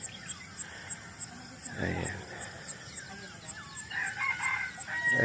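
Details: Rooster crowing at five in the morning in the countryside; a harmonic crow rises near the end, over a steady backdrop of small birds chirping and insects, with a person talking briefly.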